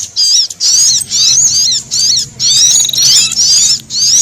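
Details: Brown-throated sunbird frightened alarm calls mixed with prenjak, for luring wild birds: loud high wavering chatter in bursts about twice a second, separated by short silences.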